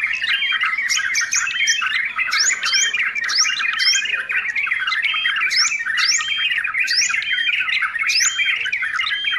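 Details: Noisy yellow-vented bulbul song: dense, continuous chattering of harsh mid-high notes, punctuated about once a second by sharp rising squeaky upsweeps, loud and unbroken throughout with no other clear sounds.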